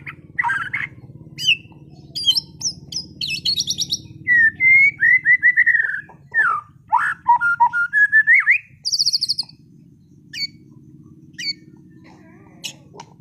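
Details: White-rumped shama kept for song contests in Sragen delivering bursts of mimicked material: scattered sharp chips, then a run of repeated clear whistles and high trills, separated by pauses, with a constant low hum behind.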